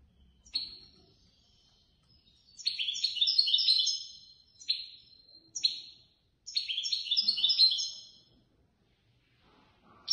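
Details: European goldfinch, a competition bird that won third place in a contest held by a Casablanca bird lovers' association, sings high, bright twittering phrases in four tinkling bursts separated by short silent pauses. The background is otherwise quiet.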